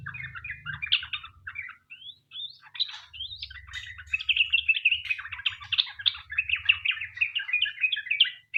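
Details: Sooty-headed bulbul in long chattering song used as a lure to make other bulbuls sing: busy, tumbling warbles that build into a dense, almost unbroken stream, with a low background hum.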